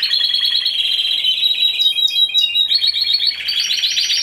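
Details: Timbrado Español canary, a single bird entered in the individual C2 class at a singing competition and exhibition on 26 November 2015. It gives loud, continuous high rolling trills and metallic tours that switch abruptly between phrases, with no other sounds.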